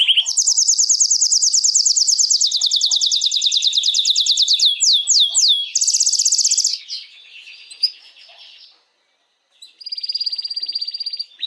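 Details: Canary song meant to arouse females for mating: a long, very rapid, loud high trill, several downward slurs, a brief buzzy trill, a quiet pause, then another steady high trill.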